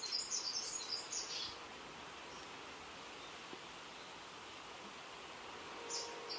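A male greater double-collared sunbird gives a quick burst of thin, very high twittering notes, then falls quiet before one more brief twitter, over a steady soft hiss.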